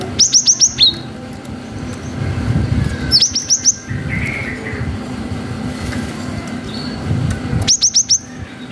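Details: Cinereous tit in full voice, singing the long 'wucit' song used to trigger young birds to respond: rapid series of four or five piercing, down-slurred whistles repeated about every three to four seconds, with background rumble and distant traffic.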